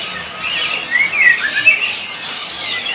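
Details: White-rumped shama (Copsychus malabaricus) in a black cage at a bird market kiosk in Jakarta, singing on a cold day: a few brief, clear whistled phrases with quick sliding notes over a steady hiss of market noise and other birds.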